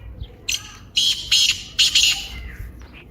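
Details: Black francolin (kaala teetar) calling in an excited manner: a short scratchy opening note, then a rapid run of loud rasping bursts, with a faint trailing note afterward.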